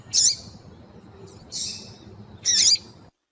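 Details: Three sharp, high-pitched chips from a female double-collared seedeater, used to stimulate males to sing, spaced roughly a second apart, the middle one softer and more drawn out, against quiet low hiss.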